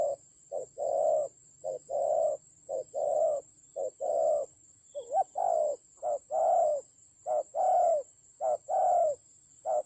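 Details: Decoy spotted dove fighting fiercely, Central Highlands, Vietnam, October 2020: nearly ten seconds of continuous low cooing, brief notes alternating with longer rough coos, one coo slightly bent in pitch, over a steady faint high whine.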